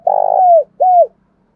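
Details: Spotted dove from Đồng Nai, Vietnam, cooing in the morning: two low, mellow hooting notes, a longer wavering one followed by a shorter falling coo, with a faint low hum beneath.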